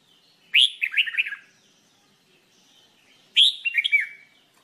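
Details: Red-whiskered bulbul in singing training delivers two matching phrases, each a loud sharp opening note followed by a rapid bubbling run of four or five descending warbles, about three seconds apart.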